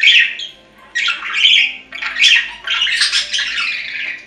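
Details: Budgerigar chatter to soothe a lonely pet: four clustered bursts of grating squawks and warbled chirps, each about half a second to a second long, separated by short quiet gaps.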